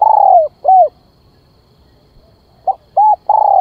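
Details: Spotted dove used as a decoy, calling to lure wild birds: low, hollow coos in a phrase of a long note, a short arched coo, then after a pause a clipped note, another arched coo and a long drawn coo.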